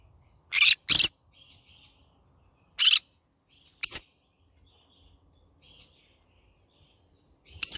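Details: Morning singing from a pet green-cheeked conure, yellow-sided type: a quick pair of rasping screeches, then single harsh shrieks at irregular gaps, with faint soft chatter between them.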